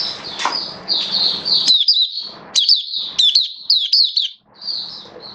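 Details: Oriental white-eye (mata puteh), a hobby songbird in build-up form, dated 19 September 2022, delivering a 'buka' opening song: high, thin twittering phrases of quick sliding whistles, pausing briefly between bursts, over faint background hiss.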